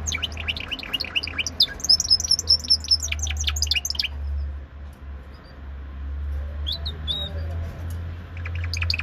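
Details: Timbrado canary in Greece singing a bright, high song of fast chirped notes and metallic trills for four seconds. After a pause, shorter bursts of chirps follow, all over a steady low electrical hum.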